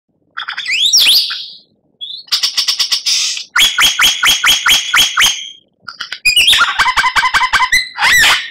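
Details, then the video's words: White-rumped shama (murai batu) masteran song for training captive birds, Indonesia, rich in tembakan and kretekan: high rising whistled sweeps, then bursts of rapid repeated clipped notes in fast series, with short pauses between phrases. "Masteran Murai Batu Gacor"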